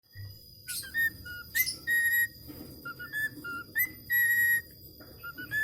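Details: Budgerigar (Australian parakeet) learning to whistle: clear, steady whistled notes, some short and some held about half a second, broken by brief harsh bursts, over a constant faint high hum.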